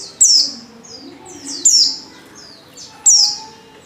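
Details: A white-eye female in heat calls to a male: strong, sharp high notes falling in pitch, each followed by a softer echoing chirp, repeated about every second and a half.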